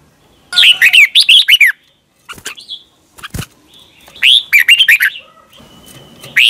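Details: Thai caged Red-whiskered Bulbul, doubled song for young birds to learn: two bubbly warbled phrases, with scattered taps and clicks between them.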